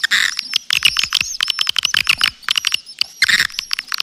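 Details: Lure sound for swiftlets: bursts of harsh, buzzy chatter alternating with quick separate clicks and short chirps, all high-pitched and rapid.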